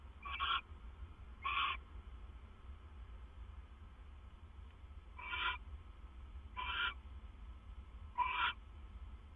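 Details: Owl calling at 2:32 AM, 25 September 2015, while the male delivers food to his mate: five brief, raspy hissing screeches, two close together, then a pause and three more, over faint hum.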